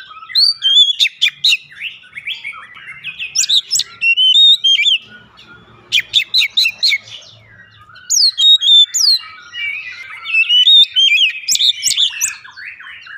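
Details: Song of an Oriental magpie-robin played as a lure to get a bird singing: long, rich sequence of varied whistles, harsh clicking bursts and fast trills, delivered in energetic phrases with brief gaps.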